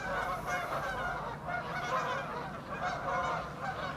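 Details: Flock of Canada geese honking while taking off; many nasal honks overlap in a constant clamor, with pulses of louder calling around 0.5, 2 and 3.5 seconds and a low, rushing background rumble throughout.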